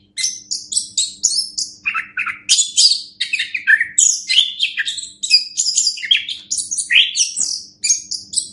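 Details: Orange-headed thrush song as a master track for training birds: an almost continuous, energetic series of high whistles, chirps and trilled fragments in quick succession, with a quiet constant hum.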